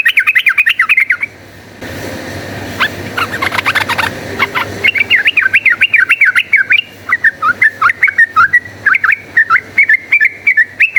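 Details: Yellow-vented bulbul in rapid fighting song, used as a lure to turn bulbuls into fighters: fast looping whistled phrases, briefly broken by a clattering patch of clicks and noise, then resuming as a long run of quick, wavering notes.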